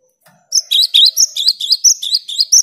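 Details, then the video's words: Energetic cinereous tit song aimed at coaxing quiet tits to sing: quick repeated pairs of sharp, high whistled notes, each dipping slightly, delivered steadily for two seconds. "Gelatik batu gacor untuk merangsang gelatik macet agar rajin bunyi"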